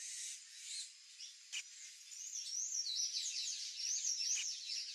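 A sayaca tanager sings a rapid, high, squeaky stream of twittering notes, thin and jumbled, with a couple of soft clicks between phrases.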